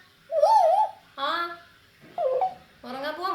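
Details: Pet African grey parrot talking in Malayalam at bedtime, told to go to its cage to sleep. Four short voiced bursts indoors: first a wavering, whistle-like phrase, then three speech-like harmonic syllables with pauses between.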